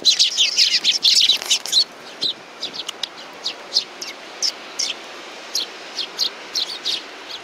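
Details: Young hand-tame sparrows open with a dense, loud chatter of chirps, then settle into single short high chirps spaced about every half second.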